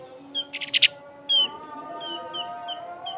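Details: Opior jawa (cucak gentong), the Javan grey-throated white-eye, in long trill song kept for tutoring other birds: a loud buzzy rattle burst, then a sharp downslurred whistle and softer whistled notes roughly every third of a second, faint hum behind.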